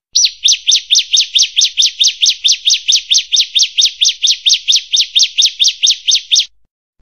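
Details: Bar-winged prinia (Prinia familiaris), song.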